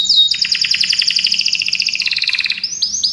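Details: A Belgian canary delivers a long rapid rolling trill of evenly repeated notes, gently dropping in pitch, closing with a couple of sharp rising whistles.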